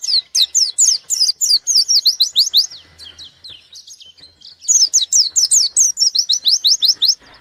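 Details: White-eye singing hard to challenge a rival: a dense stream of shrill, quickly repeated descending chirps, a short quieter pause with thin notes, then another fast, loud run.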